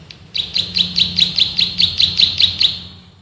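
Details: Male bar-winged prinia (prenjak sawah) giving a 'ngebren' song of rapid shots used for training birds: a series of about eleven high, clipped chirps, evenly spaced and steady in loudness, then fading out.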